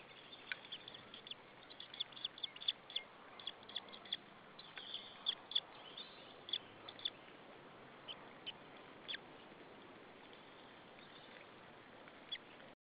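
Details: White-tailed eagle nestling begging in an Estonian nest at Saunja, 26 April 2013, 14:37: bursts of high sharp chirps during the first half, thinning to scattered single peeps, then hiss only.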